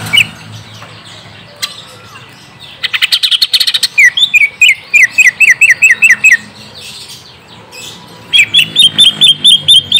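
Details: Greater green leafbird song meant to lure a young wild-caught bird into answering: a soft start, a buzzy rattling burst, a rapid series of rising whistled notes, then a fast metallic repeated phrase at the end.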